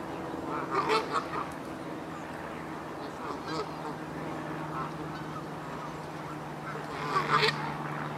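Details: Canada geese at the Hertener Schlosspark in Germany: a few honks near the start and a louder burst toward the end, over a constant low mechanical hum.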